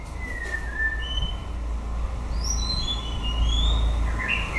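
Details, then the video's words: White-rumped shama in song at the close of the breeding season. Long descending whistles give way to a quick string of high, clear piping notes that climb and rise again, with low rumble underneath. "Chòe lửa bông hót cuối mùa sinh sản"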